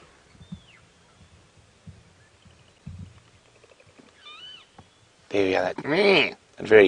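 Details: Golden-tailed Woodpecker at dawn (6:30 AM, 11 July 2016) on a safari drive near Djuma Game Reserve, South Africa, gives loud, harsh, nasal wailing calls in three rising-and-falling bursts, after faint whistles, thumps and quiet words; go-away birds alarm-call in the distance.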